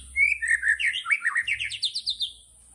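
A White-rumped shama sings a rich, rapid phrase: a sliding whistle followed by a fast run of about a dozen bright, descending-then-rising notes, with a faint high hiss behind.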